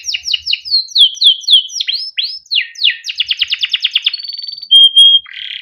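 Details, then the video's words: Male canary in long rolling song used to train canaries: quick downslurred chirps, slurred whistles, a fast pulsed trill, then a flat sustained whistle and a buzzy note. "burung KENARI CUIT CUIT NGEROL untuk pancingan kenari biar gacor || kenari gacor panjang || canary"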